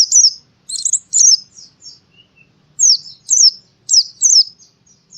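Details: A white-eye sings in the forest style, recorded in Central Java, Indonesia. High, sweet chirped phrases of quick zigzag notes come in bursts, separated by short silences with a faint low whistle between.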